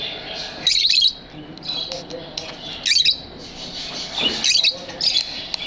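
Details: Lovebirds in an aviary kept as pets, giving sharp high chirps and squeaky calls in short bursts about once a second, with a steady background hiss between them.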